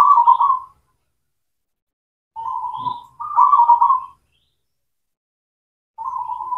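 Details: Zebra dove song used as a lure to get silent or reluctant local doves singing again: short rolling coos repeated with gaps of one to two seconds, each a burbling trill near one steady pitch, with a faint high chirp between.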